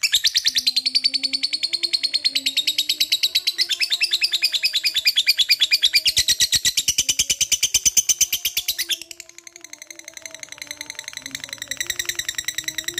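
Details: Lovebird in long ngekek chatter, played to stir other lovebirds into singing: continuous rapid harsh high pulses for about nine seconds, a brief softer dip, then renewed chatter, with a faint low wavering tone beneath.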